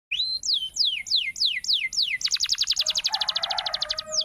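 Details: Canary singing a lively song: a run of clear downslurred whistles about five per second, then a fast rolling trill of short high notes with a low buzzy undertone near the end.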